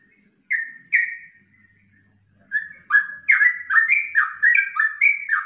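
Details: Ropelan-style song of a yellow-vented bulbul used as masteran: two separate clear whistled notes, a pause, then a fast tumbling run of rising and falling liquid whistles, loud and clean.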